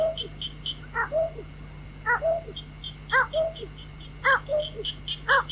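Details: White-breasted waterhen lure for night trapping: paired notes, a sharp harmonic call followed by a lower slurred note, repeated about once a second, with light high chirping and steady background hum.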